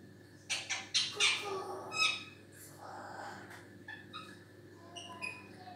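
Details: African grey parrot chattering indoors. A few loud, harsh squawks are followed by softer murmuring sounds and short high whistled chirps, irregularly spaced, with a steady background hum.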